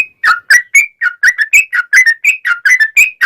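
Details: Sooty-headed bulbul singing a long rapid 'ropel' series, played as a lure to set other bulbuls singing: bubbly, whistled two-part notes repeated about four times a second, dipping and rising, with no other sounds.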